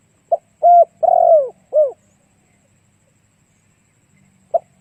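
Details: Spotted dove lure song, played to attract other doves: one low cooing phrase of a short note, a level coo, a long burred falling coo and a short falling coo, then a lone short note begins the next phrase. Quiet background.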